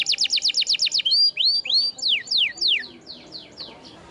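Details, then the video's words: Canary song offered as tutoring material for quiet canaries: a rapid burst of falling notes, then rising whistled slurs and a series of steep descending sweeps fading toward the end. "MASTERAN KENARI GACOR !! Bahan isian kenari macet bunyi"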